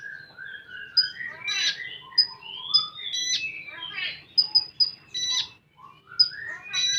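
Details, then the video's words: Full-tembakan singing of a common iora (konin): a varied stream of falling whistles, buzzy rasping bursts and quick high pips repeated in tight clusters, with little pause. "Burung Konin Full Tembakan"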